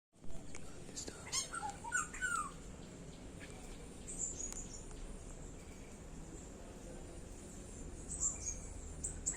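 Black-hooded oriole gives a quick run of fluty, slightly falling whistled notes near the start, over a steady low rumble with human voices nearby.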